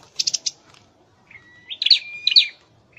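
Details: Caged Scarlet-headed flowerpecker under training: three quick buzzy chips, a pause, then a rising note into a flat whistle and two sharp chirped notes.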